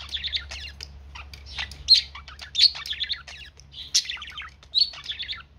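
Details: A happy pet budgerigar (Melopsittacus undulatus) warbles steadily, mixing rapid chirps, scratchy chatter and sharp clicks.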